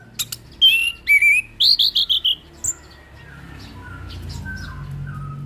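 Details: Steady orange-headed thrush singing as tutor song for a young bird: two whistled slurred notes followed by a fast descending series of bright, high trilled notes, then quiet with soft background noise building.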